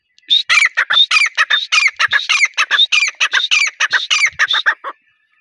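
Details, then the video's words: Male grey francolin calling, recorded in connection with partridge hunting: a loud, rapid series of about twenty-five harsh, ringing notes, several with a clicking lead-in, delivered evenly for nearly five seconds before stopping abruptly. "gora teetar ki awaaz. male partridge hunting"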